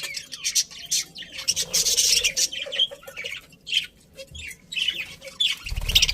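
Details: Colony of happy pet budgies chattering together: dense, scratchy warbles and sharp high chirps overlapping throughout, with a brief low thump near the end.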